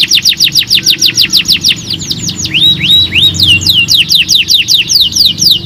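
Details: Canary song meant to prompt other birds into singing: long runs of rapid, high, repeated downward-sweeping notes, briefly broken by a few slower rising whistles, continuing steadily throughout.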